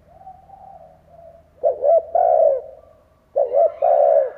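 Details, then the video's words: Spotted dove used as a decoy, cooing to draw wild doves into calling: soft distant cooing at first, then two loud phrases of choppy notes and long sinking coos close together. "Chim cu gáy kích bổi , Cu gáy kích bổi mở là gáy"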